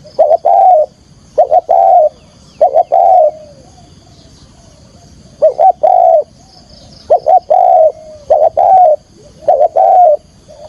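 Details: Trapping decoy spotted dove in full song: repeated phrases of clipped double notes followed by a loud sustained coo, about five phrases across ten seconds, with short quiet gaps between them.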